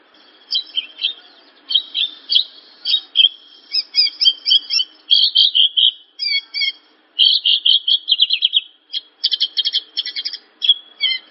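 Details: Javan bush lark song used as a masteran: a varied sequence of repeated chips, short trills and a long buzzy, descending rattle, with brief gaps between phrases.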